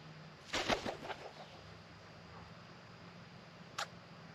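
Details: A female black-backed Australian magpie sneezes after drinking, a sharp, breathy snort with a couple of fading puffs, then scratches the irritated area. A single faint click follows about three seconds later.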